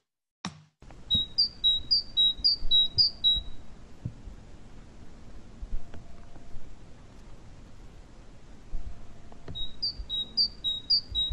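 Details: Great tit song, its simple two-note basic song (the species has about 40 variations and can mimic other tits): bright, high two-note phrases repeated rapidly, a run of about eight, then another burst after a pause; faint room noise beneath.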